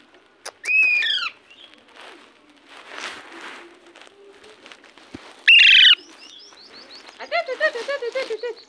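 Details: Parrot calling: a loud, harsh, downward-sliding call near the start and another strident call midway, separated by quieter chatter, then a rapid run of short chirping notes toward the end.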